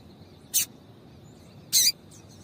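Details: A female double-collared seedeater gives calls to excite a male. Two short, high, rasping chips come about a second apart, the second slightly longer.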